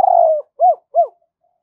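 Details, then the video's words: Decoy spotted dove giving its thúc and gáy calls to lure wild doves in, in the thổ voice style: a long low coo followed by two short arched coos, then silence. "Chim Cu Mồi Thúc + Gáy Gọi Bổi Nhanh Về Cội"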